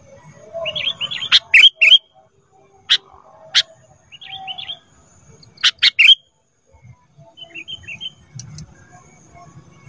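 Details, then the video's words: Sooty-headed bulbul calling on a training track for caged birds. Quick clusters of short whistled notes alternate with sharp, loud chips over roughly ten seconds, with faint low background rumble. "Masteran Kutilang Emas Mudah Gacor"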